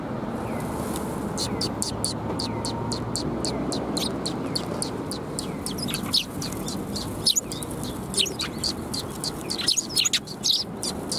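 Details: A flock of fluffed-up Eurasian tree sparrows on 1 February 2021 chattering almost continuously, many overlapping high chirps and tweets from several birds against a low rumble.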